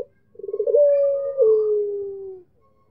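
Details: A Barbary dove (puter pelung) calling to challenge a rival: a quick stutter of rising notes runs into a long, mellow drawn-out note that steps down and fades lower over two seconds.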